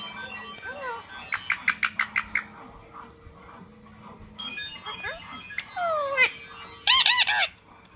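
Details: Blue male Indian ringneck parrot, a pet indoors, chatting to its mirror: warbled speech-like phrases, a quick series of clipped chatters, sliding whistles, and a brief loud screech near the end.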